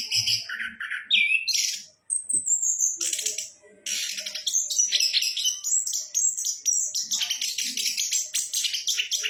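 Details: Orange-headed thrush, known locally as anis kembang, delivering a continuous varied song: descending whistles, high thin sustained notes, then rapid repeated chattering phrases high in pitch, with a brief silent gap near two seconds.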